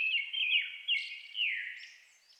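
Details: Brown-headed thrush in a Japanese highland forest at dusk in May, singing against a Japanese thrush; a short run of rolling whistled notes, then a drawn-out falling whistle fading into a soft high lisping tail.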